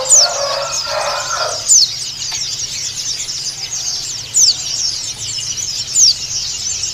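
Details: White-eye calling out to a rival in pleci dakun Bali style: continuous high, thin chattering overlaid by four piercing, downward-sliding whistles spaced one to two seconds apart. A brief lower squealing burst is heard in the opening second and a half.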